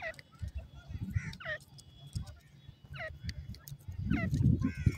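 Grey francolin chicks give thin, high, curving peeps in loose bursts, over low rumbling background noise and a murmur of voices.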